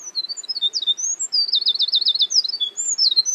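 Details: A Eurasian wren (Troglodytes troglodytes) in a forest pours out a rapid, high-pitched, energetic song of sharp notes and a fast rattling trill.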